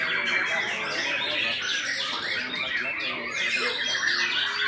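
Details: A white-rumped shama pours out a continuous medley of sweet whistles, twitters and slurred notes, rising and falling quickly, against a crowded backdrop of chirping and low murmur.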